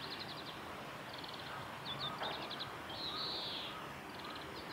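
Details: Japanese white-eyes among cherry blossoms at Suga Shrine, Japan, 23 February 2019: quiet, high, rapid twittering bursts of clipped notes, repeated in short clusters, with one louder drawn-out high note near the end and steady background hiss.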